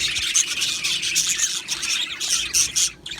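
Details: Australian budgerigars in an aviary: a short burst of bright, rapid chirps and warbled squeaks from several birds, with a few clear whistled notes, fading quickly at the end.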